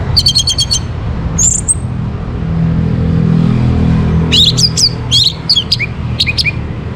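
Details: Orange-headed thrush in morning song meant to stir birds into breeding condition: a quick stuttering trill, one high slurred whistle, a quiet gap, then a burst of rapid varied chirps and falling notes, over a low rumbling background.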